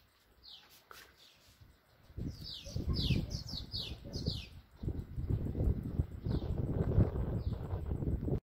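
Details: Many swallows flutter at a nest with chicks in Bulgaria, giving a lively run of high, downward-slurred chirps, dense in the middle then sparser, with heavy low rumbling from wings or wind throughout.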